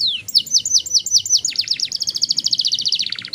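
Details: Young canary in Indonesia in long rolling song, played to encourage other young canaries to sing: a fast steady trill of high notes that blurs into a continuous buzzy roll, ending in lower repeated notes.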